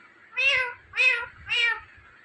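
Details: Three evenly spaced, nasal, meow-like words from a talking Indian ringneck parrot, each about a third of a second long, in a quiet room.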